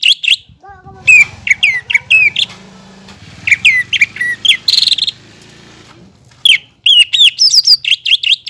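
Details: A caged greater green leafbird sings vigorously, with clusters of sharp, rising and falling whistles repeated in fast runs, separated by brief quieter gaps with faint low chatter.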